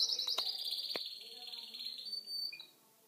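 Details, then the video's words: Chinese canary in Kuwait singing: a loud, high, sustained trilled phrase holding steady then ending with a brief lower note, with a few faint clicks and knocks. "كناري صيني يغرد"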